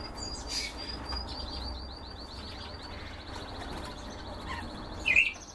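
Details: Canary from a breeding setup delivering a long rolling trill of fast, evenly spaced high notes that fades gradually over about three seconds. A louder short chirp follows near the end, over steady low room hum.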